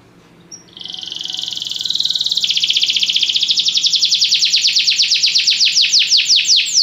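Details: Belgian canary in song training: after a short high note, a long rising trill builds in loudness and slows into regular pulsed, slurred notes about three per second.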